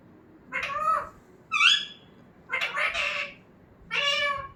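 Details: Pet talking parrot, heard as an example for teaching a parrot to speak, gives four nasal, harmonic vocal phrases resembling meows or spoken syllables, the second sharper and higher, the others broader and rougher, in a quiet room.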